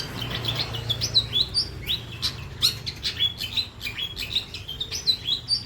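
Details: Long-tailed shrike with a white breast, giving a varied song of quick high chirps mixed with clear, slurred whistled notes at an irregular lively pace.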